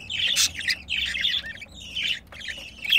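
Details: Harsh, buzzy squawks from a budgerigar pair during mating, three or four rough bursts within a few seconds.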